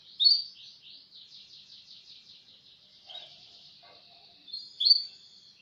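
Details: Canary singing in the fast roll style used as a training recording (masteran): a steady chain of quick repeated high notes, framed by brighter, louder phrases at the start and end, with a faint lower chirp midway.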